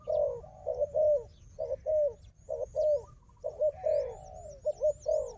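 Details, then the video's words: Wild dove, noted for fierce fighting against a decoy, delivers clipped hollow coos in uneven bursts, with zigzag high whistles from another bird in the background. "លលកព្រៃនេះខ្លាំងខាងជល់ ធ្នាក់ក៏ខ្លាំង"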